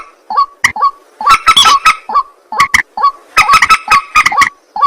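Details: Nocturnal white-breasted waterhen calling: twangy, upward-bending croaks alternate with dense clusters of rasping notes, in an uneven rhythm.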